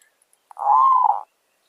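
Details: Zebra dove, a fierce wild bird met in the village while being lured with a decoy: a single smooth, sustained mid-pitched coo of about two-thirds of a second that rises softly and then fades out.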